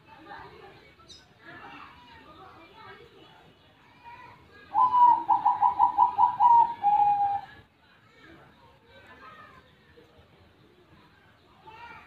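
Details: Amid faint background cooing, a zebra dove gives a strong song phrase: a rising opening note, then a quick run of about eight staccato coo pulses and a closing drawn-out note, followed by quieter distant calls.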